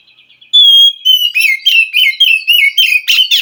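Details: Wild forest white-rumped shama singing to stir a captive bird that is slow to sing: a long pure whistle, then a rapid run of loud, rolling whistled notes repeated several times a second.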